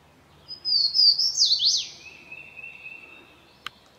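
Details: Swainson's Warbler singing in spring migration in forest at New River Gorge National Park, West Virginia: one loud, ringing phrase of high slurred whistles tumbling sharply downward, then a thin steady tone and a single sharp click.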